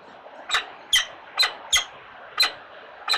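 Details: Four downy white Peregrine Falcon chicks in an urban nest at feeding time: six sharp, squeaky chips, each a brief bright burst, spaced about half a second apart, over a quiet hiss.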